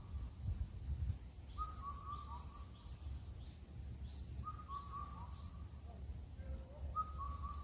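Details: Indian cuckoo on a Korean mountain near Incheon giving three clear four-note whistled phrases about three seconds apart, the final note falling. Soft high chirping from other birds behind, with a steady low background hum.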